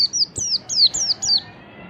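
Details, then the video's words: White-eye (pleci ngalas) lure song: five or six bright, high whistles in under two seconds, each a sharp slurred drop in pitch, loud and clear over a quiet background. "pancingan pleci ngalas memancing bunyi pleci PLECI KURANG GAIRAH BAKALAN EMOSI"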